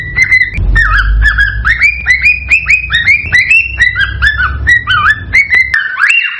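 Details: Cockatiel mating song meant to stimulate breeding and egg laying: clear whistled notes that rise and fall, repeated in quick succession over a low hum, ending with a longer rising whistle.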